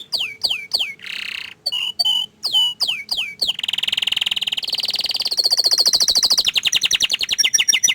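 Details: Canary song opening with separate sweeping whistled notes and short buzzes, then breaking into a long fast rolling trill that climbs in pitch and turns into rapid repeated chips.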